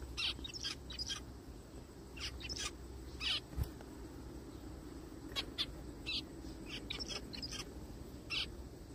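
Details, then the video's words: Zebra finches in a forest uttering short, nasal call notes in loose groups, sometimes two or three in quick succession, separated by short quiet spells over a low steady hum. "zebra finches sounds"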